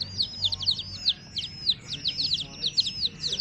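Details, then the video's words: A brood of baby chicks with their mother hen chirps busily, many high arched and falling peeps overlapping in an uneven, continuous chatter. "LOVELY Hen Baby Chicks, Witty MURGI Baby "Chicks Chirping" Sound"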